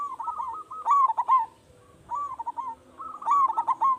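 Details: Zebra dove, a local bird with a big voice, its song used to prompt other doves to sing; three trilled coo phrases, each a quick cluster of stuttered notes, the first and last loudest.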